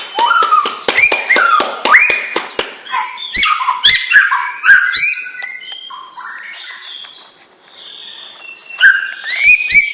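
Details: Fast, varied song from a young white-rumped shama of a champion bloodline. Slurred whistles and sharp high clicks tumble together, then fade to quieter high notes before a final loud whistled phrase.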